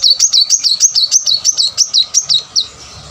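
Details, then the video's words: Plain-throated sunbird singing at full pace, a lure recording meant to get lazy caged birds singing: a quick, even string of bright, looping high whistles, about three per second, ending abruptly. "kolibri manggar full gacor buat pancingan korlab yang males bunyi"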